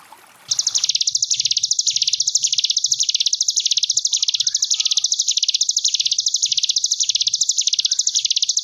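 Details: A short stretch of faint noise gives way to the Sunda bush warbler's ngebren gelombang tawon song: a sustained, extremely fast, high buzzy trill swelling in regular waves, used to tutor young cage birds.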